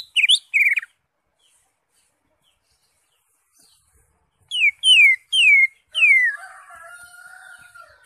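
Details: Green leafbird in a cage, its song meant to provoke another bird into singing: two twisting whistles, several seconds of quiet, four clear downslurred whistles, then a softer drawn-out warble.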